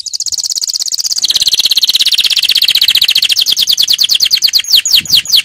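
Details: Powerful canary training song: a long, rapid, rolling trill of high notes that drops slightly in pitch after a second, continues steadily, then breaks into faster sweeping chirps at the end.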